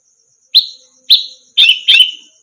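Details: Orange-headed thrush singing on a training track for other birds: two separate clear, falling whistled notes half a second apart, then a pair of fuller, buzzier descending notes close together, with a faint steady high tone behind.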